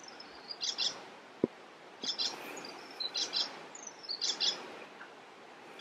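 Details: Singing icterine warbler in Västerbotten, 27 June 2021. Repeated scratchy double notes come in quick pairs with high thin whistles between them, and one sharp click sounds near the start.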